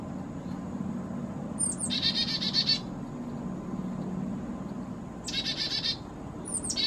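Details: Black-capped chickadee, possibly a hybrid with Carolina chickadee, fussing at a feeder at 4000 feet in the Great Smoky Mountains in warm weather, choosing a sunflower seed; two bursts of high thin notes followed by rapid buzzy dee notes, with steady low hum behind.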